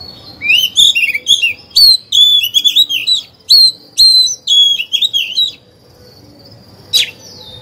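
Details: Caged oriental magpie-robin lure singer provoking other birds; a fast run of clear downslurred whistles repeated about twice a second for five seconds, then silence and one sharp note.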